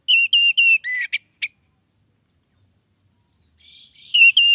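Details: An orange-headed thrush sings bright, high whistled phrases meant to lure other orange-headed thrushes: three quick repeats, then sharp chips, a brief pause, and the phrases again.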